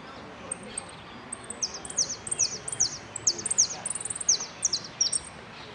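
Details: Competition saffron finch, known locally as amarillo, entered in the "sin cierre" category at a Merlo singing contest on 3 December 2017; sharp high chirps and short sliding notes come in bursts, faster toward the middle, with quiet hum behind.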